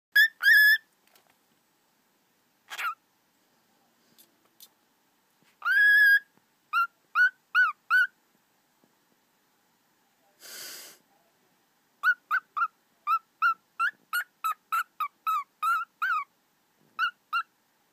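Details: A pet cockatiel sings clear whistled notes in quick runs to a phone, with one brief burst of tapping noise.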